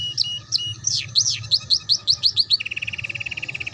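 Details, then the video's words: Canary singing a tutor phrase for juvenile canaries learning the ngeriwik style: spaced high whistles, then quick sliding chirps speeding up, ending in a fast even rattle about ten notes per second. "Suara PANCINGAN KENARI PAUD Belajar BUNYI Ngeriwik"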